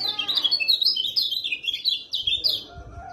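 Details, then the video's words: Lemon-bellied white-eye song used to provoke a quiet bird into singing: a rapid run of high, thin twittering notes with quick rising and falling whistles, continuous for about two seconds before fading, with faint low background rumble. "PANCINGAN KECIAL KUNING MACET JADI GACOR BERKICAU | SUARA KECIAL KUNING JOSS"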